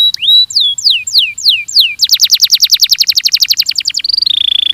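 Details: Belgian canary training song: a rising whistle, a run of downward-slurred notes, then a dense rapid chirping trill and a closing flat buzzy rattle.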